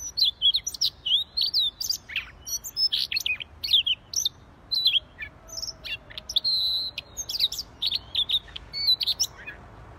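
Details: Siberian rubythroat singing busily (gacor), pouring out fast, varied high notes: sweeping whistles, short sharp chips and a few longer sustained tones, almost without pause.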